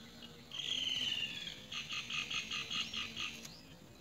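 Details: Great myna chick receiving big crickets: a long harsh rasping note, then a rapid run of about eight short rasping pulses, loud and clear over faint background hiss.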